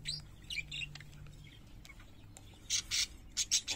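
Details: Pet parakeets singing: soft, scattered high chirps and twitters early on, then a run of louder, bright, buzzy chirps bunched near the end, over a faint low steady hum.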